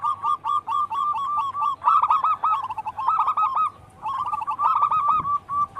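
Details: Energetic local zebra dove song used to stimulate other doves: a nearly unbroken stream of rapid cooing notes, some merging into rolling trills, with a brief dip before the notes resume.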